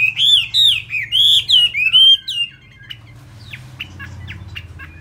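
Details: Chinese hwamei kept as a cage bird in Vietnam, singing fast while its feathers are still wet: a string of rich, looping whistled phrases, loud and rising-falling, fading into soft scattered chips.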